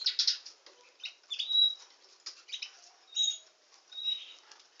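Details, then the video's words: Canary giving a softer, sparser song: an opening buzzy burst, then isolated thin whistles and short chirps separated by quiet gaps. "Nightingale singing canary"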